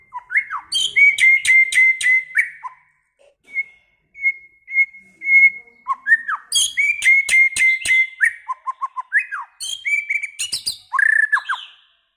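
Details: White-rumped shama with a long, many-voiced song: pure level whistles held and repeated, sweeping slurs, and bursts of harsh, rapid high notes, delivered in two loud bouts separated by a quieter stretch of sustained whistling.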